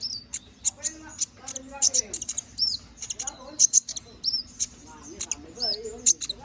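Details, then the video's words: Energetic canary song in the 'gacor ngobra' style, intended as master song for magpie robins: dense chattering sequence of high chips, slurred whistles and short trills, varied and almost unbroken throughout. "Suara BURUNG KENARI GACOR NGOBRA!"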